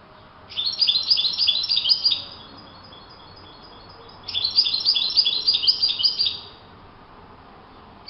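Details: A European goldfinch sings outdoors in two long, sparkling phrases of quick twittering notes, each about two seconds, parted by a quiet interval over a low steady hum.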